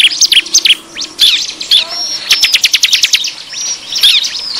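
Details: Bar-winged prinia noisy lure call for attracting wild prinias: scattered bright chirps, then a quick rattling burst of evenly spaced clicks, followed by more thin whistled notes.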